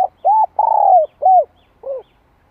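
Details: Coo phrase of a spotted dove, a '2 hậu lỡ' call used for training freshly caught doves: a short hoot, a long drawn coo, then two more rounded notes, each low and mellow, with silence between.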